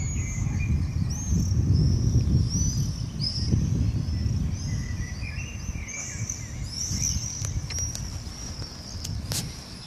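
Common swifts give thin, shrill screams, high-pitched and repeated in quick bursts over a steady low rumble of wind or distant traffic.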